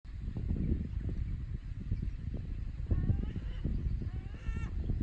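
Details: Gull calling at a rocky shore near Takide on the Noto Peninsula, Japan, 12 May 2019. Low rumbling surf dominates. Around the third second a short harmonic cry cuts through, and near the end comes a brief stacked, nasal call.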